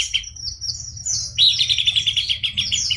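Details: Buff-breasted babbler in full voice, opening with high thin whistled phrases, then breaking into a fast, scratchy, chattering stream of notes; steady low background hum.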